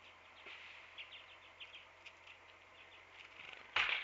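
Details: Black-capped Chickadee at a backyard feeder in Manitouwadge, Ontario, on 9 December 2016 (winter), giving soft, high chipping notes about twice a second, ending in a brief rush of wingbeats; Black-capped Chickadee.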